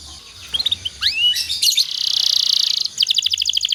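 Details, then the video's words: Canary song used as master training song for other canaries: sweeping upward whistles, then a sustained buzzy trill and a fast run of repeated sharp chirping notes. "suara burung kenari Ini sangat ampuh buat masteran segala jenis burung kenari agar cepet gacor"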